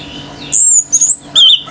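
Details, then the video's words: A male orange-headed thrush in full excited song: a drawn-out piercing high whistle, a quick flourish, then a lower clear whistled note, all over a steady low background hum. "ANIS MERAH GACOR TELER‼️BURUNG LAIN IKUT NGAMUK‼️"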